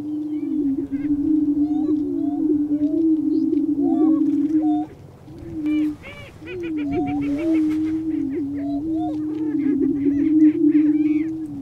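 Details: Several lesser prairie-chicken males "booming" on a lek in Kansas's Flint Hills, displaying and confronting each other to attract a hen: a steady, low, overlapping hooting drone broken by higher squeaky yelps, cackles and clucks.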